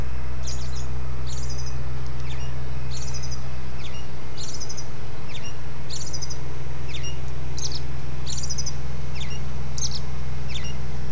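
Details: Robin singing at dawn: short, high, sharp chirped notes, often paired, repeated at a steady pace of several per second across the recording, over a constant low hum.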